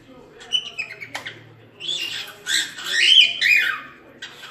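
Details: Cockatiel song: a few soft chirps, then a louder run of warbled whistled notes rising and falling, with faint low background hum.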